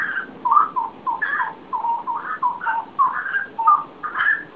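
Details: Bird singing before daybreak: clear whistled notes, some slurred down and others up, delivered in short bursts with brief pauses, against a faint low murmur.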